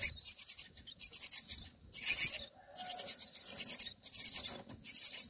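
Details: Myna chicks, about nine days old in the nest, give harsh, raspy begging calls in repeated bursts of about a second with brief pauses as a parent feeds them black crickets.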